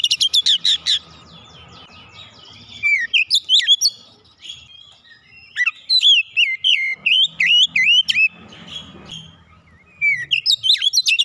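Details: Oriental magpie-robin (kacer) song used as a lure to set other birds singing: bursts of loud, varied whistles and sharp upslurred and downslurred notes, with rapid chattering phrases separated by short pauses, and a faint low hum beneath.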